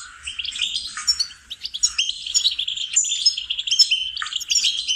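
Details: Singing lesson of a goldfinch for songbird training: bright chattering twitter with high, piercing whistled notes and rapid trills, dipping briefly quieter around one and a half seconds before resuming.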